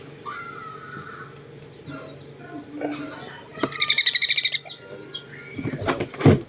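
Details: Hand-fed young sun conures, described as greedy eaters, calling during feeding; long thin whistled notes, then a loud rapid pulsing burst of harsh chattering repeated many times, with rustling and handling noises.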